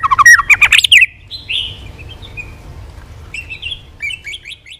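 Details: Trained caged white-rumped shama singing in many voices: a brief, fast tumbling phrase of rich warbled notes, followed by soft scattered whistles and a quieter chirping phrase.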